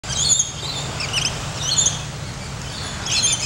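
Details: Lorikeets at Port Douglas, outside St. Mary's by the Sea, give shrill, high screeching chirps in bursts, several overlapping, over a steady low rumble of background noise.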